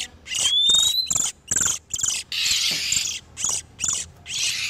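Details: Breeding-condition oriental magpie-robin song, male and female, used to lure wild birds: an opening clear rising whistle, then a run of harsh chattering bursts and one longer scratchy phrase.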